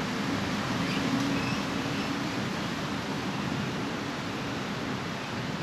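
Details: Dense even hiss with a low steady hum throughout and no animal voice.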